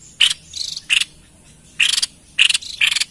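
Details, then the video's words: Lively White-chested babbler, recorded for attracting wild birds: grating chattering phrases in short clusters, some bursts stuttered into quick pulses, with a pause of nearly a second midway. "Tepus Dada Putih Gacor l Cocok Untuk Pancing Bunyi & Pikat Burung Liar"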